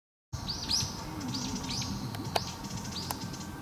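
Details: Grey-faced buzzard on Amami, Japan, on 31 December 2022, seen along a prefectural road, giving thin, high whistled notes that arch up and fall away about every second, over a steady low rumble and a few sharp clicks.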